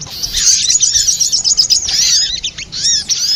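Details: Little spiderhunter (sogok ontong) lure recording used for trapping birds: dense, high-pitched chirps and thin rising-falling notes crowd together in a busy, continuous chatter with brief gaps.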